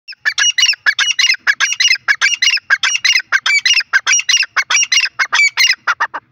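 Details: Grey francolin, known locally as teetar, roaming free and calling: loud, harsh, squawking notes repeated rapidly, about four a second, in a steady unbroken run for over six seconds, with no other sounds.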